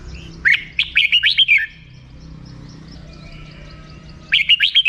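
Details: Two quick, rhythmic 'rik' phrases from a red-whiskered bulbul, each a tight run of bright rising and falling notes, with a quiet interval of under three seconds between them.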